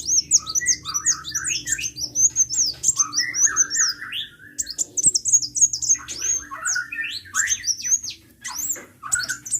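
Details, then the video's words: Sunbird singing hard: dense, jittery twittering of high, sharp chirps mixed with lower warbled notes, delivered in quick bursts with brief pauses across the whole stretch, a faint low hum underneath. "KICAU BURUNG KOLIBRI GACOR"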